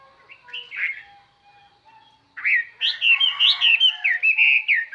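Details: Chinese hwamei kept as a lure, pouring out far-carrying song to call wild birds. A few soft whistles open, then after a short silence comes a loud, rapid cascade of varied, slurred whistles.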